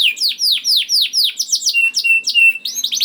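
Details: A young canary's lure song, sung to set other canaries singing. It has repeated high downslurred whistles, a thin steady whistled tone and a fast rising trill at the end.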